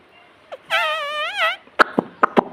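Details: Pet ring-necked parrot gives a wavering, nasal, speech-like phrase of about one second, followed by several sharp clicks and taps in a quiet room.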